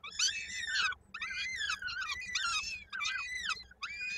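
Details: Young peregrine falcon at a nest in Koszalin, 16 May 2022, being fed with its foot lodged in the adult's beak; loud, piercing arched squeals, several strung together with short breaks.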